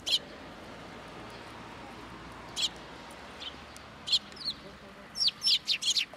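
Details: Sparrows arriving first thing in the morning to be fed at a Tenmangu shrine, 18 October 2022. Short, high chirps sound singly at first, then come in a quick cluster near the end.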